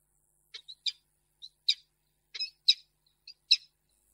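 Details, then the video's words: Peregrine falcon female turning down a gift, Reda, Poland, 10 March 2022: loud, harsh chipping notes in uneven pairs and singles, close and clear. "Koksinka nie przyjmuje prezentu"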